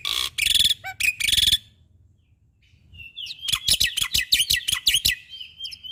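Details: Black-winged starling in active caged song, recorded to train other birds: loud harsh raspy bursts open, then after a short quiet spell a fast series of sharp clicking notes over a thin sustained whistle.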